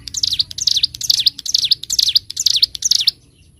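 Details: Bar-winged prinia (ciblek gunung) singing on a bird-training master recording, 'gacor ngebren' style: a quick series of high, sharp chirps, clustered in repeated phrases, ending abruptly after about three seconds.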